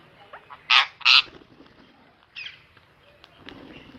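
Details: Ringneck parrot kept as a pet: two loud, harsh screeching calls close together near the start, then a softer call after a pause, with faint background noise.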